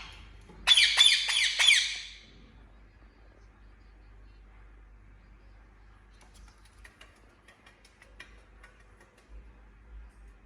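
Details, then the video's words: Pet Indian ringneck parrot indoors: a harsh, loud screech of about five rapid rasping pulses near the start, followed by quiet with faint clicks and scattered soft chirps. "Talking Parrot Making Sound"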